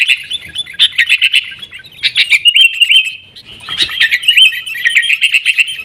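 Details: Sooty-headed bulbul singing busily, used as a lure to make caged birds sing: quick clipped chirps, then a level whistled note, then more fast chattering phrases.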